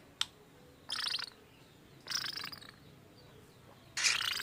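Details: Lovebird producing odd sounds, described as mimicking human speech: three loud, harsh, broadband screeches about a second apart, each lasting roughly half a second, preceded by a single sharp click.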